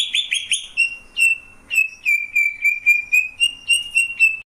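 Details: Greater green leafbird singing: a quick burst of bright whistled notes, then a steady run of clear, slightly rising whistles near one pitch, each about a third of a second apart, with thin high overtones and a quiet background.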